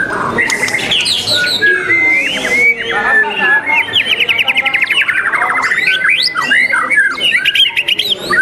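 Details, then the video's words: Murai batu, or white-rumped shama, performing in a singing contest on 12 December: a fast stream of mixed whistles, buzzy rattling trills and sharp upslurred notes, with other birdsong and crowd noise behind. "Murai sultan salman lomba the legend murai batu nusantara"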